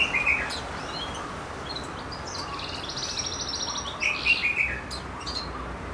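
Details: Goldfinch mule, a hybrid cage bird, singing high rapid twitters, short buzzy trills and clear whistled notes in an irregular flowing song, with a low background hum.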